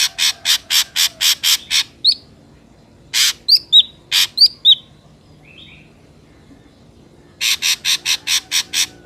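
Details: Ashy drongo in the wild, used as a lure for trapping drongos: fast bursts of harsh broadband rasps repeated in series, broken by short sharp downslurred whistles.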